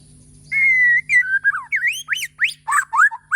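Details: Morning song of a Bornean white-rumped shama: a long level whistle followed by a lively series of swooping, rising and falling fluty notes, loud and varied.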